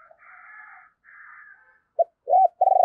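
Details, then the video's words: Decoy spotted dove calling to stir wild doves to coo: soft, faint murmuring notes, then three short, louder hooting coos near the end, the last one pulsing. "Chim Cu Mồi Thúc Và Gáy Gọi Kích Bổi Nhanh Gáy"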